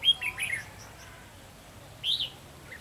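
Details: Red-whiskered bulbul recorded during bird trapping on 12 July 2016: a quick burst of bright, short chirped notes, then a pause and another brief sharp two-note chirp, with faint background hiss.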